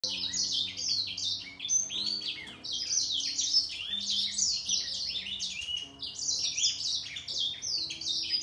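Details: Grey singer finch in a singing contest against a green singer. Dense, high twittering runs with quick descending whistled notes and buzzy trills, the two birds overlapping almost without a break.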